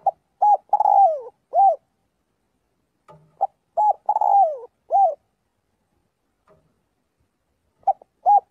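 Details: Spotted dove calling its flock while practising its voice daily; two bursts of soft coos, each with a drawn-out falling note followed by a short final coo, separated by a pause.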